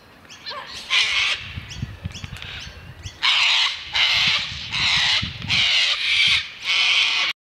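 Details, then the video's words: Gang-gang cockatoo on the slopes of Mount Majura, Canberra, 19 Feb 2017, watched in the dark, gives harsh, creaky, rasping screeches, one early then five in a quick run about a second apart, over a faint low rumble. "Gang Gang Cockatoo"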